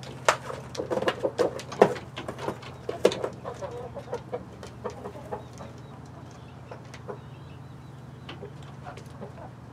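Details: Backyard flock of chickens, including Light Brahma, Barred Plymouth Rock and White Leghorn hens with Rhode Island Red roosters, on a live stream; a burst of short, clipped clucks in the first four seconds, then sparse soft clucks over a steady low hum.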